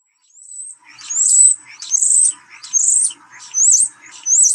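European Starling song ending in loud, high-pitched screeching phrases, repeated about once a second over a softer rattling chatter.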